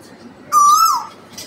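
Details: Asian koel singing from a tree in the morning: one loud, clear whistled note that rises slightly, holds, then drops at the end, over quiet background.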